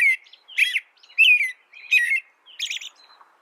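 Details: Canary producing loud, harmonic chirps that slide downward, with varied spacing, ending on a softer buzzy note and a faint thin whistle.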